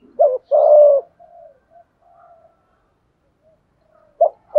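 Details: Spotted dove singing in the earthy "thổ" voice style, a full cooing sequence used to train decoy birds and lure wild ones: two low, throaty coos, the second long and buzzy, soft fading trailing notes, then another short coo.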